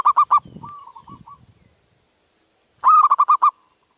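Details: Zebra doves of a local strain calling in reply, recorded as a lure for other doves: a brisk burst of clipped coos, a softer trailing phrase, then a second quick rolling series after a pause; constant high hiss.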